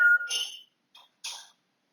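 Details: Pet African grey parrot at home, recorded 20 August 2022, gives a brief pure whistled note, then a few short harsh, noisy squawk-like bursts separated by silence.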